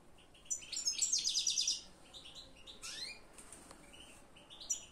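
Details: European goldfinch singing: a fast, high, jingling twitter of rapid tinkling notes for about a second, then shorter bursts and rising slurred notes with brief pauses between phrases.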